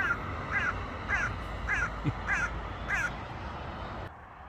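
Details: Hooded crow from a small family near a Norwegian airport, calling after a bread feeding: five hoarse, grating caws at a steady half-second pace, with a faint low rumble behind and a soft click midway.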